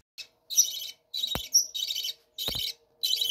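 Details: Captive budgerigars in a bird room chatter in dense, buzzy bursts of about half a second, broken by short gaps, with sharp clicks and a faint steady tone behind.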